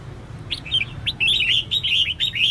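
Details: Female red-whiskered bulbul calling to excite males into singing. A couple of sharp chirps lead into a continuous stream of rapid, rippling, slurred notes. A low hum sits underneath.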